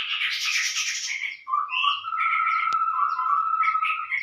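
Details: Lure call of the scarlet-rumped babbler: a bright burst of dense high chatter, then a long even whistled tone beneath scattered chirps, with one sharp click midway.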